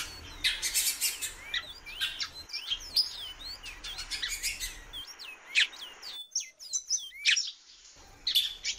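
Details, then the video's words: Female great-billed seed-finch calling a lot: short whistled notes, sliding up and down, repeated in quick uneven bursts, mixed with harsh broadband chirps from other birds and a brief quiet gap near the end. "FÊMEA DE BICUDO PIANDO MUITO"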